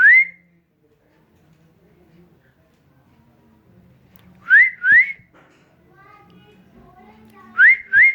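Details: Rose-ringed parakeet, a green parrot, apparently indoors, giving clear upslurred whistles in three bursts: one at the start, a pair midway, then another pair near the end, with quiet room noise between.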